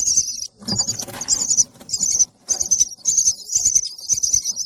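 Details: Baby bird chirping for food: high, thin, rapid chirping in bursts lasting about half a second to a second, separated by short pauses, with soft rustling and handling noises beneath.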